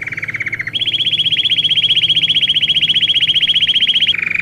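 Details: Belgian canary singing a training song: a lower, rapid trill for the first 0.7 seconds, then a switch to a higher, very fast, even rolling trill held steadily for over three seconds, and a return to a lower trill at the end.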